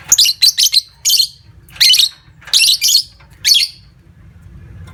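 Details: Lovebird giving long 'ngekek' trilling, played to prompt other lovebirds to trill: six loud, high, harsh chattering bursts in five seconds, the first three rapid and close together, then the rest spaced by short quiet gaps.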